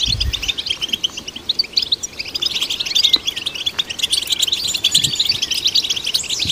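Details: Goldfinch song for stimulating goldfinches: lively, high, chattering twitter with short buzzy trills and a few sweeping slurred notes, loud and unbroken, with a dull low thud at the start.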